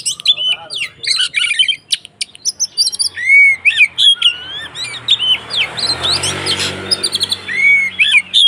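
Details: White-rumped shama in agitated fighting song meant to provoke other shamas: rapid varied phrases of high whistles, sharp chips and rising slurred notes, turning to a busier, denser stretch with a soft background hiss.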